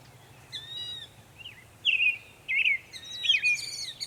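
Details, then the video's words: Northern mockingbird singing in Savannah, New York on 23 May 2021, mixing many sounds: varied high phrases, a harmonic whistle, then loud chattery and buzzy notes after short pauses. "Northern mockingbird Mimus polygottos video, making many sounds"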